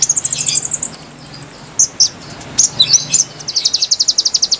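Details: Konin song used for luring wild birds, starting with a quick run of high notes climbing to a thin sustained series, then scattered chirps and a closing rapid trill.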